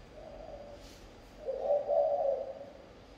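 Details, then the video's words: Spotted dove singing in the thổ âm style: a faint low coo, then a louder, fuller hooting coo phrase lasting about a second, over a quiet background. "Chim gáy thổ âm"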